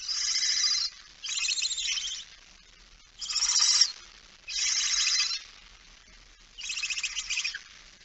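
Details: Barn owl, female with a mouse, recorded 17 September 2019 at 06:11; five harsh, hissing screeches of about one second each, broad and noisy, separated by short pauses.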